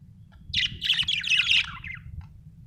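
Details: Continuous budgie warble: about a second of fast, scratchy, high chattering chirps with bright whistled bits, then a single faint click, over a low background hum.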